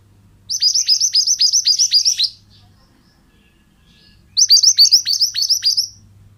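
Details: Training song of a pied bushchat (mantenan): two bursts of quick, descending whistled notes, each lasting under two seconds, separated by a pause of near silence, over a faint low hum.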